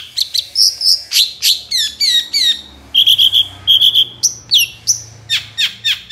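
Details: Long-tailed shrike singing a loud, lively song used to lure other shrikes into singing: rapid varied notes, whistled slurs, sharp descending chips and short buzzy trills, about three or four notes per second, with a faint low hum behind.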